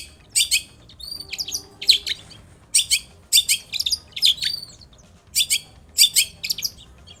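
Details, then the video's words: Actively singing long-tailed shrike, played to coax other shrikes into answering: short clusters of grating, buzzy high notes repeated in quick bursts with brief gaps between them. "SUARA cendet gacor INI AMPUH untuk pancingan agar cendet bunyi"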